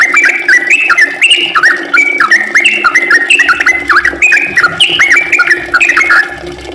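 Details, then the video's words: Sooty-headed bulbul singing energetically in the long ropel style, a steady stream of loud, liquid whistled phrases, each rising then hooking downward, repeated for several seconds. "kicau trucukan gacorr ropel panjang"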